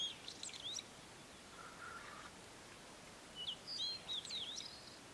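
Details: Blue-and-white flycatcher in mountain forest at Matsunoyama Onsen, Japan: clear, high whistled notes and short slurred phrases come in two bursts, separated by a quiet gap with a faint lower warble, over soft background hiss.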